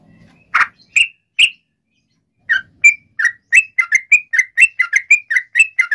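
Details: Sooty-headed bulbul (trucukan) song, played to prompt other bulbuls to reply. Opens with a few separate clear whistled notes, then builds into a quickening series of short bright chirps, almost one per quarter second by the end.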